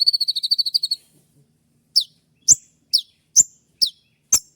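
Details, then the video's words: Spotted konin sunbird: a rapid buzzy trill lasting about a second, a pause, then six sharp high 'shot' chirps spaced roughly half a second apart, a sound used for training other songbirds. "Masteran dan Terapi konin trotol dengan suara tembakan yang mudah"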